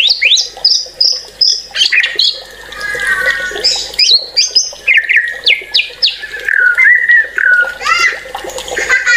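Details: White-rumped shama singing a rich, varied song of loud whistles, sweeping slurs and rapid trills, phrases shifting pitch constantly; a faint steady background hum.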